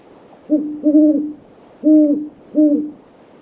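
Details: In a backyard one evening, great horned owls give a clear low hoot rhythm: a short note, a longer drawn-out hoot, then two further steady hoots spaced under a second apart, quiet surroundings.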